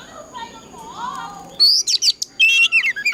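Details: Oriental magpie-robin in old wild-forest voice, a recording meant to goad other birds to sing. Faint low warbling gives way after a second and a half to loud sharp whistled notes and buzzy trills.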